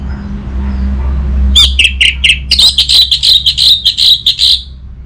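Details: A caged orange-headed thrush (Geokichla citrina) from North Bali sings a rapid, rich run of varied whistles and chattering notes, high and bright, after a low rumbling hum; played to prompt other birds to sing.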